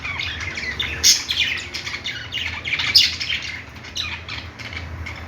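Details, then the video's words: Pet budgerigars playing, a dense chorus of overlapping chirps and squawks with quick rising and falling notes, fluctuating in bursts throughout, with a low steady hum underneath. "budgies playing sounds | parakeet chirping sounds"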